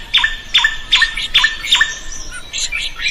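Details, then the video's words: Drongo song used as a tutor recording for training other birds to sing: five loud metallic notes, each a high whistle dropping into a hooked lower note, repeated about every half second, then a burst of scratchy chatter. "SUARA SRIGUNTING GACOR COCOK BUAT MASTERAN.burung lain akan ikut gacor"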